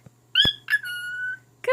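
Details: Talking male cockatiel singing to its mate indoors: a short sharp whistle, then a clear long flat whistled note of about half a second, ending in a voice-like squawk, with a low hum beneath.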